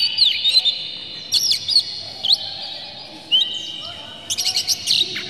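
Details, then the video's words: Oriental magpie-robin, tail spread, singing to provoke other magpie-robins; scattered loud whistled slurs separated by pauses, ending in a quick burst of clipped chirps. "dijamin kacer langsung ngamuk2 dengar kacer ini bongkar emosi buka ekor ngobra full isian"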